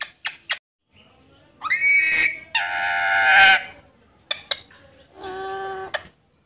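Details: Alexandrine parakeet that talks, producing a varied run of loud, harsh, rising and falling squawks and drawn-out tones, mixed with short sharp clicks.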